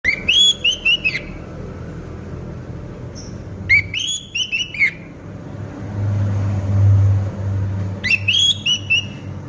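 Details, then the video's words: Caged orange-headed thrush in moult, described as very vocal and never quiet, sings three bursts of clear, rising whistled phrases with high chirpy notes, separated by pauses, over a steady low rumble of traffic. "Burung Anis Merah Mabung Gacor Tidak Mau Diem"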